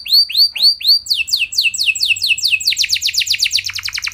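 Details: Canary song used to provoke other canaries into singing, a long rolling style: three rising, arched whistles give way to fast repeated descending notes, then quicker rolling trills speeding up toward the end.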